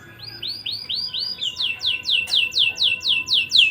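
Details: Canary singing nonstop, played to stir breeding urge in young canaries; evenly spaced, high, arched whistled notes that grow louder and repeat about three times per second, with a faint steady hum beneath.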